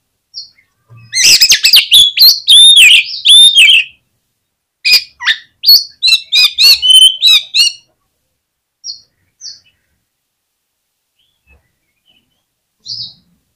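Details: Oriental magpie-robin lure song meant to set other magpie-robins singing: two rich, rapid phrases mixing sweet whistles, harsh chirps and slurred notes, followed by scattered short high chips and long silences.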